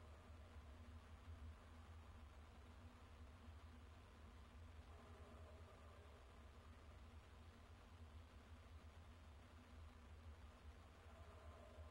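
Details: Steady low rumbling like an idling engine with faint hiss throughout, and no animal calls.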